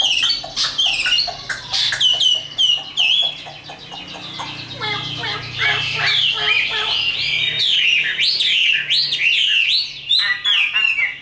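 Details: Tame Chinese hwamei kept in a cage, singing its fighting song: fast series of sharp stacked chips and loud looping whistles, varied and continuous throughout.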